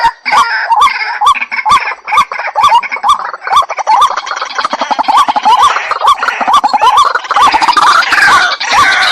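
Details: A white-breasted waterhen lure call: rhythmic hooked mid-pitched notes about twice a second. They become buried in a dense, noisy chorus of overlapping harsh calls and clicks in the second half.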